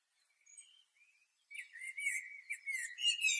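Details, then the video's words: Asian blackbird singing a few soft, fluty whistles, then a rush of high, scratchy twittering notes that closes the phrase. "Blackbird Singing"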